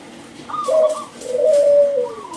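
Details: Brief phrase from a loud-singing local zebra dove: a short high note, then a long, smooth, low coo that swells and slowly falls.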